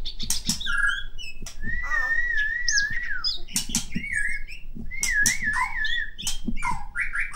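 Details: Medan white-rumped shama song with long wavering whistled notes and quick slurred phrases over repeated low knocks and thumps.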